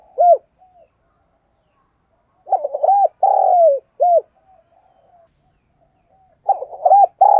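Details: Decoy spotted dove cooing in the 'thúc gù' style. Quick hooked, rising-falling notes lead into a long, steady coo that slides downward, then a short note. After a pause the sequence starts again. Mid-pitched and clean, with no other sounds.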